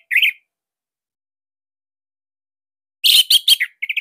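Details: Orange-headed thrush singing as a lure for other birds of its kind: one short warbled note, a long silence, then a quick cluster of sharp chips and a few repeated short whistles.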